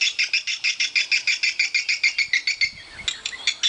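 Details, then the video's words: Inside a swiftlet house, swiftlets give a steady train of short, high chirps at about three per second. After a brief lull come faint soft flutters, possibly wingbeats, then more chirps. "Rumah burung walet ku"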